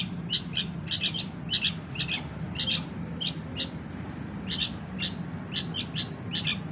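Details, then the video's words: Sooty-headed bulbul chick begging to lure its parents: groups of sharp, scratchy chirps, roughly a hundred a minute, with a quieter gap midway, over persistent low hum. "suara anak burung kutilang"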